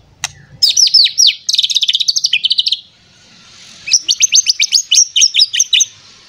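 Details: White-rumped shama, agitated and seeking a rival, pouring out its repertoire as a lure to set other shamas singing: fast runs of sharp, buzzy high chips repeated in bursts, a pause, then another rapid chattering series.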